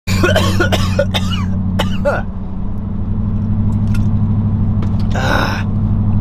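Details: A steady engine hum and low rumble carry on throughout, with short human vocal noises and a cough near the start and another burst toward the end, but no animal calls.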